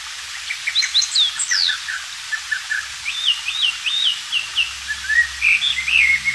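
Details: Oriental magpie-robin in the wild, recorded as a tutor song for white-rumped shamas. Fainter, distant-sounding song: thin high chips, then a run of short repeated looping whistles, then sliding notes over steady low background noise.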